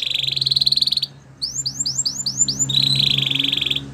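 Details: Belgian canary singing a training song: a steady high buzzy trill, a pause, a run of six swooping whistled notes, then another rapid trill, with a low mechanical hum underneath.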